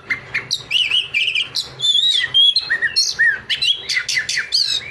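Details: Oriental magpie-robin singing energetically, mixing harsh squawky notes with bright whistles, rolling trills and rapid chip series, phrases tumbling one after another almost without pause, recorded close and loud.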